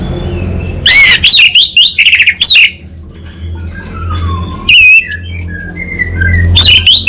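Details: Orange-headed thrush (anis bata), a kept bird from North Bali, Singaraja, singing vigorously in the kabel konslet and ngeplong style: bursts of rapid, varied whistled and buzzy notes, then quieter lower warbling and more sharp high phrases over a steady low hum.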